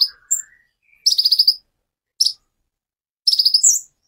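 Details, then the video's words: Kolibri ninja sunbird song in the 'tembakan' style for training songbirds: a soft low rising buzz and a single whistled note, then quick high staccato trills, a lone chip, and a final rapid trill ending in a twisting whistle. "Kolibri Ninja Ful Tembakan cililin"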